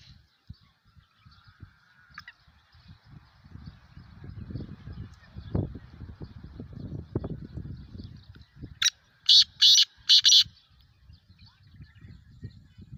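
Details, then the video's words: Three-month-old black francolin chick (kala teetar) calling: one loud, harsh, grating phrase of four rapid buzzy notes near the end. Before it come low rumbling and handling noises and a faint steady hum. "Black Franclion Chick Calling In Just 3 Months Kala Teetar k Pathy Ki Mastain"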